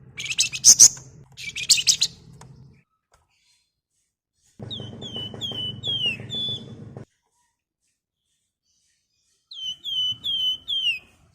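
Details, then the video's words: Javan fulvetta, also called flamboyan, singing energetically as a lure for flock birds: clear high whistled notes slurring downward in short runs, after a loud broadband burst of chatter over a low hum. "BURUNG WERGAN JAWA GACOR NGEBREN"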